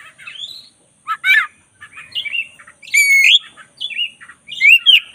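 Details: Caged black-breasted white-rumped shama in full master song: varied chattering and whistled phrases, harsh buzzy notes mixed with bright slurred whistles, delivered in quick irregular bursts.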